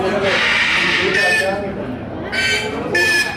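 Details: Plush-crested jay calling: loud, harsh, nasal squawks with a rich buzzy tone, one drawn-out note followed by shorter bursts, repeated about every half second near the end.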